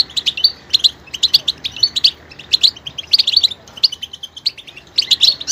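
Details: Goldfinch singing with varied, diverse phrasing: rapid bursts of high twittering and tinkling notes in short clusters separated by brief pauses, no other sounds.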